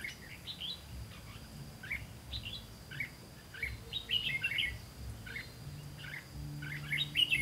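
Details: Red-whiskered bulbul at a trapping site on 18 September 2016: a steady series of short whistled chirps, roughly two per second, building to louder warbled phrases near the end, with a low rumbling background.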